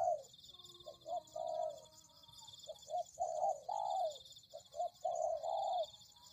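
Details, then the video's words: Spotted dove cooing in a lure recording: low, hollow coos in broken phrases of two to four notes, some short and some drawn out. A steady high insect-like buzz runs in the background. "Pikat Tekukur"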